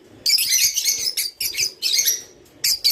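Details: Java sparrow song, meant to stimulate birds to mate: bursts of high, chattering, bell-like chirps and clicks in short phrases separated by brief pauses.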